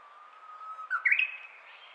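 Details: Japanese bush warbler in early morning, first singing of 2023: a sustained low whistle for nearly a second, then an abrupt, louder, rising two-part flourish fading into a thin high tail.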